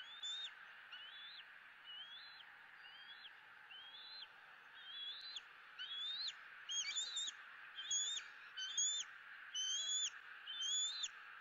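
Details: Eaglet E9 at a Southwest Florida nest calling for food early on 2 April 2017 at 06:54, parents perched in a nearby dead tree: thin, high, wavering whistled calls about once a second, growing louder and more insistent.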